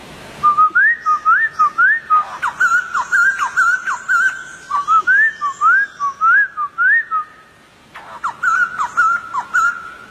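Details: Whistled song from a wild White-crested Laughingthrush: a steady series of upward-slurred notes repeated roughly twice a second, a brief pause, then more whistles.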